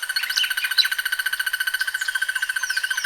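A Crested barbet gives a long, even, rapid trill on one steady mid pitch, like a muffled alarm clock. Higher chirps from other birds sound over it.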